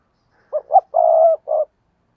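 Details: Spotted dove singing as a decoy to draw in other doves. A single clear low phrase: two quick coos, a long even purring coo, then one short closing coo, over quiet surroundings.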